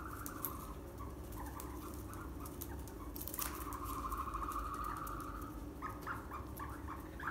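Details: Captive ostrich chicks at a northern Saitama farm in Japan, 7 May 2020: faint chirps, then a drawn-out wavering trill lasting over a second, followed by short clipped chirps and low background rumble.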